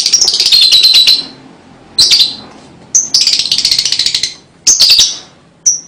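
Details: Lovebird song played to lure and stimulate young birds: bursts of shrill, buzzy, rattling chatter, each about a second long, separated by short pauses and ending with a thin high whistle.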